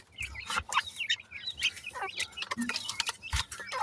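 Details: Grey francolin chicks feeding give scattered short chirps, some rising and some falling, among clicks and taps.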